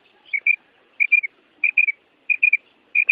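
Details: Female quail calling during breeding season to make males respond: bright whistled triplets, each group of two or three quick notes repeated about every 0.6 seconds on a steady pitch, otherwise quiet.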